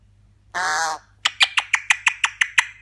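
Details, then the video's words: Indoor pet Eclectus parrot gives a harsh, buzzy half-second squawk, then a fast series of about nine sharp clicking notes repeated roughly six times per second. A low room hum sits beneath. "Eclectus Parrot talking"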